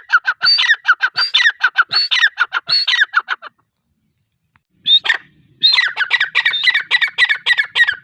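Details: Female grey francolin (teetar) calling: rapid series of loud, harsh, ringing notes repeated many times, a brief pause of about a second and a half, then the chattering series resumes just as loudly.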